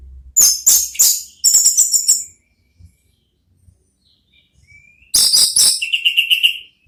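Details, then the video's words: Orange-headed thrush, played as a therapy song to coax other thrushes to reply: rapid rattling, high scratchy note clusters in two bursts, separated by a pause broken only by a soft rising whistle, ending in a buzzy trill. "belajar NGEPLONG cocok untuk MEMANCING ANIS MERAH supaya ikut NYAUT ¦ KICAUAN TERAPI"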